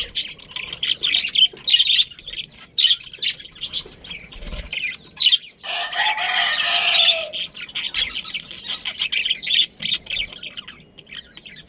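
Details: Budgerigar family colony chattering steadily with high twittering notes throughout, interrupted midway by a loud, rushing, noisy burst lasting over a second, then chatter resumes.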